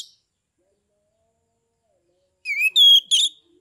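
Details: Kept Oriental magpie-robin from Kebumen, Central Java, in open 'ngeplong' song used to goad other males into singing: after a long silence, three short loud bursts of sweeping whistles and harsh chatter.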